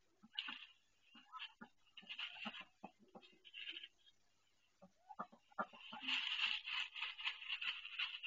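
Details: Female domestic duck in pain while laying her first egg in a nest she built, calling after being brought in: short clucking notes, then a harsh, noisy, sustained cry in the last seconds.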